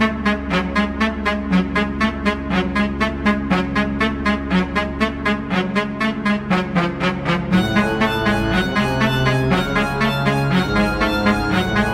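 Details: Brassy instrumental music with a steady quick beat plays throughout, with no animal sound.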